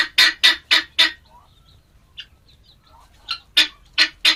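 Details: Male helmeted guineafowl: four loud, rasping notes in quick succession, a quiet gap with faint soft sounds, then three more grating notes resume.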